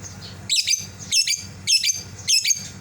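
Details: Calling for a cage mate that flew out, a captive lovebird gives four piercing, scratchy double screeches, evenly spaced about every 0.6 seconds, over a quiet background hum.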